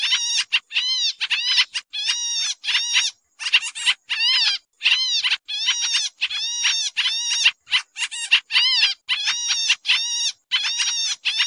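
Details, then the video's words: Pied triller lure sound for catching birds, busy and noisy: a steady stream of short, harsh, buzzy chatter bursts with downslurred harmonic notes, coming in quick uneven succession throughout; nothing else audible. "suara pikat kapasan kemiri/jarakan/cupon putih"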